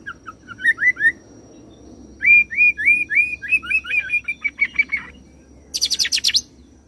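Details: Oriental magpie-robin roll song combining cililin and serindit imitations: a few rising whistles, then a long fast series of upslurred notes blurring into twittering, closing with a dense high buzzy trill.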